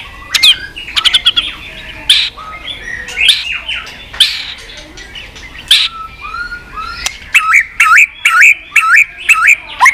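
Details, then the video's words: White-rumped shama delivering continuous 'tạch' song, used to rouse low-spirited birds and linked to tail-flicking: varied high whistles and clicks, ending in a fast run of repeated looping notes about four a second. "Chòe lửa tạch liên tục"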